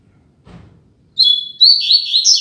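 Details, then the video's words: Double-collared seedeater tutor bird singing loudly in the fibra style, after a soft click: a high, clear whistled note breaking into rapid rolling warbles and slurred upward-sweeping notes, strong and continuous to the end. "Coleiro Mack Cantando Firme e Alto!!!"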